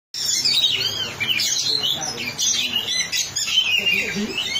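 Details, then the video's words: Oriental magpie-robin (kacer) in full, vigorous song: a dense run of high, shifting whistles and rapid chattering phrases, with a lower murmur of voices or other sounds underneath. "kacer gacor sedang di trek"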